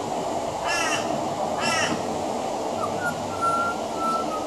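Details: A pied butcherbird sings on a veranda, mimicking other Australian birds: two harsh, crackly calls a second apart, then a string of soft, level whistles, all over a persistent low hum.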